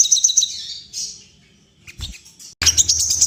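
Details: Crimson sunbird in breeding condition, with call meant to set off wing-quivering display. Quick high chirps, a short thin whistle, near silence, then a sudden burst of shrill twittering.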